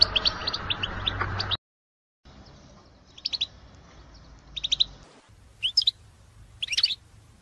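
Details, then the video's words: European goldfinch, recorded for playback to encourage a silent caged goldfinch to sing: brief bursts of bright, twittering high notes separated by pauses of about a second. Some stretches are cut to silence, and there is a low background hum. "اقوى بتبتات لاخراج حسونك من صمته"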